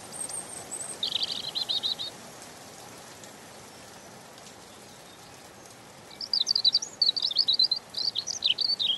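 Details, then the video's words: Gentle European robin song: a high thin note, a short buzzy stutter, a pause of several seconds, then a long run of rapid, looping, sweet high notes over faint hiss. "Ласковое пение Зарянки(малиновки)"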